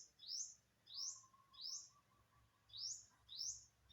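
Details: Unknown bird recorded September 27, 2022, uttering five clear, upward-sweeping chirps spaced about 0.6 seconds apart, with a faint steady tone and low hum behind.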